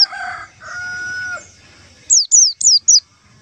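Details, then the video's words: White-eye lure call for trapping: after a drawn-out crowing-like sound from another bird, four crisp, high whistles follow in rapid succession, each sliding quickly downward. "suara panggilan pleci untuk pancingan pleci"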